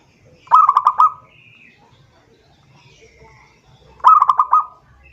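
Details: Zebra dove calling a rival with two rolling phrases of rapid staccato coo notes, four seconds apart, at an even pitch, soft background chirping between.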